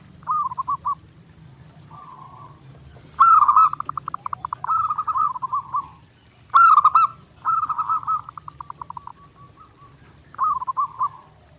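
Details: Zebra dove (perkutut) in a clear master recording made for daily song training: rolling, trilled coos near one pitch, delivered in bursts of rapid pulses with short pauses between phrases over a low hum.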